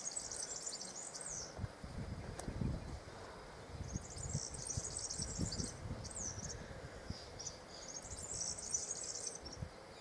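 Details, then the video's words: Male European serins singing rapid, very high, sizzling jingles in bursts of one to two seconds, repeated several times over low wind rumble. "CANTO DEL VERDECILLO"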